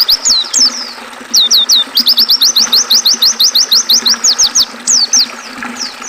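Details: Oriental white-eye singing for caged-bird training, blended with river sound: a rapid chatter of sharp, high, hooked whistles, nearly three per second, in long tight runs with brief gaps, over a low steady water murmur.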